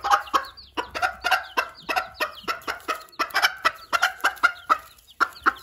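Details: Broody hen calling her chicks so they follow her and stay safe from predators: a loud, steady run of short clucks, roughly three per second, with faint chick peeping behind.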